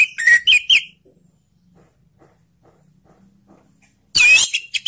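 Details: Orange-headed thrush phrases for coaxing silent thrushes to sing: a few quick warbled whistles, a long pause with faint low humming, then a harsh, loud burst of notes.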